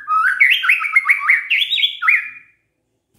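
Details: White-rumped shama singing as a lure for other shamas to answer: a continuous two-second stream of loud, fluty whistles rising and falling in quick looping phrases, ending abruptly, then a sharp click.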